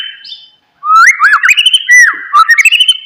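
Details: Oriental magpie-robin singing to rouse a quiet bird: a thin whistle, a pause, then a continuous run of rising and falling whistled slurs and warbles.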